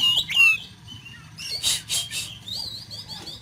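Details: Oriental magpie-robin rough fill-in song for training a kacer: bright opening whistles, then three rasping bursts and a series of short rising high notes, fairly quiet over low background hum.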